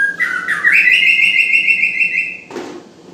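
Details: Singing white-rumped shama (murai): a rising whistle swells into a long, steady, ringing note lasting nearly two seconds, cut off by a short rough burst.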